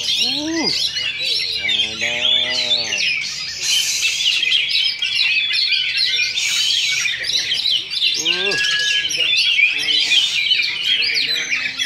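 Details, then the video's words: Duel of Oriental magpie-robins at a Sindanglaut practice singing contest on a Sunday, session two: nonstop high, jumbled whistling and chirping phrases, while men shout and call out loudly over the birds at times. "Oriental Magpie Robin Singing Contest"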